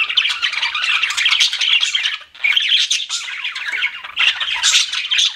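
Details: Pet budgies chirping: dense, continuous warbled chatter of squeaks and chirps from several birds, loud throughout with a brief lull near the middle before the busy chattering resumes.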